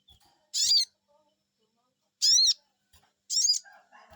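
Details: Responding to a lure call, a sogon (Crested Jay) gives three harsh, downward-curving harmonic "cuiit" calls, the last followed by a brief muffled noise.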